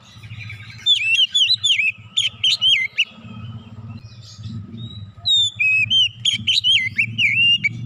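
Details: Oriental magpie-robin in insistent song, showing its 'isian' repertoire: rapid series of bright, slurred whistles repeated in two long bursts with short pauses, over a steady low rumble.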